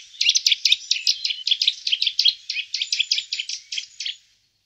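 A Eurasian nuthatch gives a rapid, even run of about twenty clear, high notes, roughly five a second, for four seconds against a quiet background.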